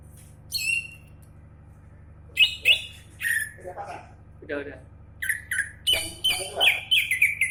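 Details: Champion greater green leafbird delivering scattered harsh squawks and chirps that build into a rapid, dense run of shrill, chattering notes toward the end.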